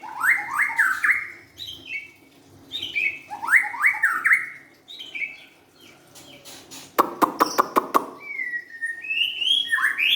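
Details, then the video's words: White-rumped shama, young and forest-caught, repeating a scratchy, warbling phrase of rising notes several times, then a rapid rattle of sharp clicks followed by clear high whistles. "kicauan murai batu"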